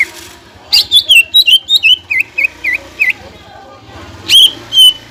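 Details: Greater green leafbird song meant to raise other leafbirds' excitement: a string of bright falling whistles about two and a half per second over a low buzzing hum, then two isolated notes.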